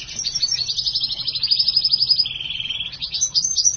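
A black-hooded siskin and house finch hybrid sings a fast, high twittering warble of rapid notes, broken midway by a short, lower buzzy trill.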